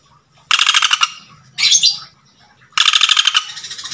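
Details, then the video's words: A male Common Flameback calls to attract a female: two quick, dry, machine-like rattles with a brief high squeak between them. "Burung Pelatuk Bawang Jantan Gacor Memanggil Betina"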